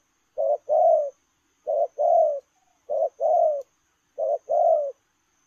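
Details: Spotted dove cooing on the run in 'lèo rồng' style: four evenly spaced low phrases, each a brief note followed by a fuller slurred coo that dips slightly at the end, with soft hiss behind.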